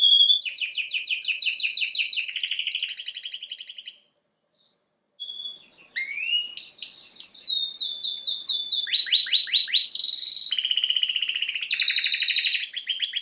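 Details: Canary (Serinus canaria) training song: fast rolling trills, a short silent gap, then rising whistles, descending note series and long buzzy tours.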